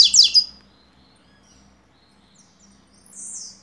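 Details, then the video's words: Rusty-collared seedeater, tui tuí song notes for tutoring: two loud, sharp, high swept notes at the start, a long near-silence with a faint whistle, then a soft, high, buzzy phrase at the end, with a faint low hum. "Coleiro Tui Tuí Notas Para Encarte"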